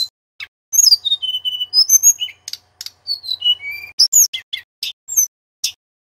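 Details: Male Sunda robin, mountain form, singing loudly as a tutor recording for magpie-robins: clear whistled notes sliding downward, interspersed with sharp high chips and short trills, in quick varied phrases with brief pauses.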